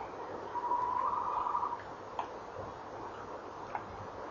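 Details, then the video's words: Tawny owl at a nest box on the evening of 19 November 2013, male calling and trilling while the female answers; a wavering hooted note lasting over a second, followed by scattered faint clicks and knocks. "Bosuil M roept en rolt V antwoordt M bij kast"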